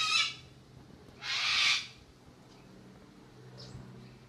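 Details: Cockatoo at Airlie Beach, Australia, gives two harsh, raspy screeches, the second longer, about a second apart, over a low background hum.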